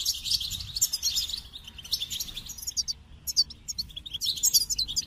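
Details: Rapid tinkling goldfinch song, dense twitters at first, then a brief lull near the middle before sharp, clipped chirps and a renewed jumble of bright trills; soft low hum underneath.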